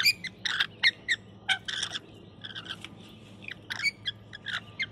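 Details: Wild rainbow lorikeets on a balcony in Australia calling for food as they feed on honey and nuts: rapid rasping shrieks and chattering notes, some clipped and metallic, tumbling out in uneven clusters.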